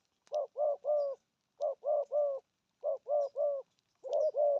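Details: Spotted dove cooing in the 'thổ âm' style with 'gù thúc' phrasing: low, hollow coos grouped in quick triplets, each group separated by short pauses, four groups in a steady rhythm with no other clear sounds.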